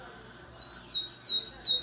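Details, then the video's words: Yellow domestic canary of the Belgian type, singing in the fibra style at the 12th edition of a singing competition in Maripá de Minas, Minas Gerais: high thin notes, each sliding downward, repeated in a quickening string. "Canário Doméstico - Amarelão"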